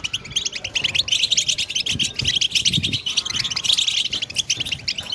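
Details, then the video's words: European goldfinch song meant to stimulate other goldfinches, busy high twittering with quick buzzy trills and chirps running throughout, over a soft low rumble. "Best beautiful stimulation of européen goldfinch"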